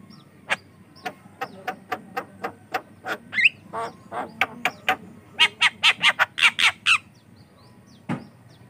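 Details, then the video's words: Javan myna in full song, used as a lure and training sound for other mynas: evenly spaced sharp clicking notes about one per second, speeding into a dense burst of harsh, buzzy chatter, then a final low note. "COCOK UNTUK PANCINGAN JALAK KEBO BAHAN || jalak kebo gacor calon pemasteran"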